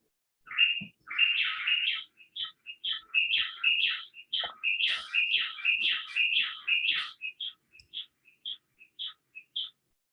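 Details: A pair of Buff-breasted Wrens, a Neotropical species, duets in extremely well-coordinated, tightly interlocked bursts of clear, whistled and rich notes, ending in a series of evenly spaced single whistles.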